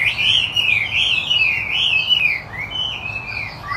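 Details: Wambi putih Chinese hwamei in full gacor song, pouring out a long, wavering whistled phrase that slides up and down, then breaks into shorter rising slurs, with a soft low hum behind.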